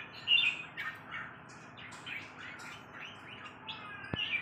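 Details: Red-whiskered bulbul giving short, bright chirped notes in quick bursts, some slurred up and others down, over a faint steady hum, with a sharp click near the end.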